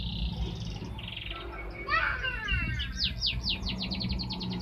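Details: Canary song that opens with buzzy, rattling phrases, shifts to mixed warbled notes, then breaks into a rapid, accelerating series of high downward-slurred whistles, with a low hum underneath.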